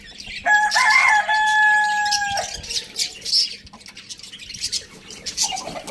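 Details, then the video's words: Rooster on a farm in a village crowing loudly: one long, harsh, even crow held for about two seconds, then softer clucking and small birds chirping in the background. "Amazing chicken rooster crowing sound in the farm village"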